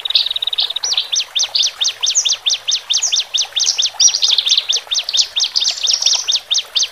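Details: Lure song from caged male and female Horsfield's bush larks, meant to help newly separated birds relax. A brief buzzy trill leads into a steady series of sharp rising-and-falling chirps, roughly two per second.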